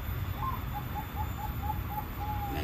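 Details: A captive zebra dove, a local bird trained toward the Bangkok-style voice, gives a quick run of about nine soft, mid-pitched, evenly spaced cooing notes, ending on a longer held coo, over a steady low rumble.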